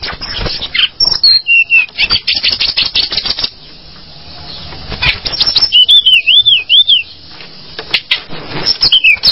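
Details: Mountain tledekan bird: dense rapid clicking ticks with a few whistled chirps, a wavering trilled whistle near the middle, and a softer lull before the ticking resumes.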